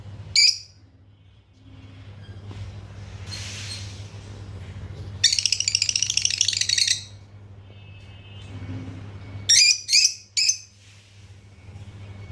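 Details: Lovebirds, red-headed, lutino and opaline, in a small room: scattered sharp chirps, a two-second burst of rapid buzzy chatter, then three loud chirps near the end, over constant low hum and faint rustling.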